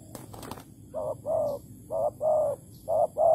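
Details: Low, mellow coos from a spotted dove at a bird trap with bare bait in Malaysia, 11 August 2020, in three short-long pairs after a brief rustling burst at the start.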